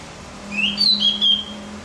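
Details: Brief high warbled phrase from a Javan grey-throated white-eye, played to stimulate other birds: a rising sweep, then two quick twittering bursts of thin, bright notes over a steady low hum.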